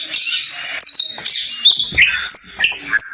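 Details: Oriental magpie-robin song of mixed whistles and short chirps, with a couple of downward-sweeping notes near the middle, heard over a continuous high shrill hum that may be insects.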